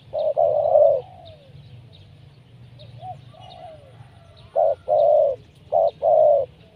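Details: Decoy spotted dove cooing continuously while wild doves are lured down to a trap. A long low coo with a sliding tail is followed by a pause, then paired hollow notes in quick succession.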